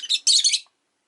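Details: On a lazy afternoon, a rosy-faced lovebird utters a quick double chirp: a short harsh note, then a longer grating burst, both shrill and high-pitched.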